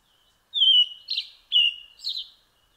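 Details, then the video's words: European robin singing: a high, thin drawn-out whistle slurring down into a quick twittering flourish, given twice in under three seconds against silence. "Bird Song - European Robin"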